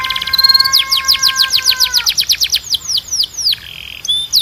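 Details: Training song for canaries: a sustained whistled tone under a run of steeply descending sweeps repeated several times per second, followed by scattered sharp chips and a brief buzzy note.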